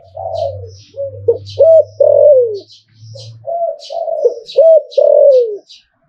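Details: Zebra dove, Thai liu tan song style, performing two linked coo phrases of looping and falling notes over a low steady hum, with high bird chirps scattered across.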